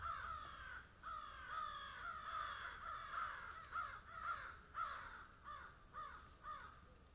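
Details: Steady series of harsh caws from a feeding crow, about two each second, several notes bending downward at the end.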